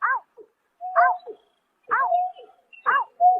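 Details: Greater painted-snipe at night in March 2024, giving four curving, hoarse notes, each followed by a flat, sustained hooting tone, against silence.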